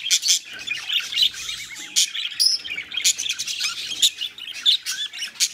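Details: Mating pet budgerigars chatter in high, gritty warbles broken by crisp clicks and a couple of bright rising whistles, the phrases pulsing in quick uneven bursts.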